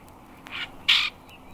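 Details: Common Grackle song: two harsh, wheezy, creaking bursts about a third of a second apart, the second louder, over a faint hiss.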